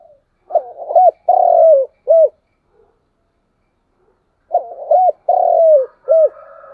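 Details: Morning decoy calling of a spotted dove, used to attract wild doves: two matching phrases, each a quick stammered coo, then a long sliding croo and a clipped closing coo, separated by about two seconds of quiet.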